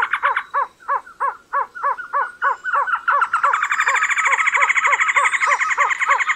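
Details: Trogon calling a steady series of short, arched, hollow notes, about three per second, joined midway by a denser overlapping chatter and a faint high thin whistle.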